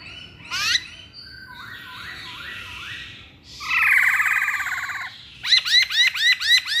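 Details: Masked laughingthrush over steady hiss: scattered short notes, a harsh buzzy rattle, then a quick series of loud, looping notes.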